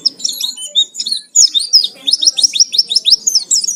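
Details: Oriental white-eye in vigorous song used as a lure to provoke singing, full of fill-in phrases: rapid high twittering with sharp down-slurred chirps and thin whistles, dense and unbroken over a faint low hum.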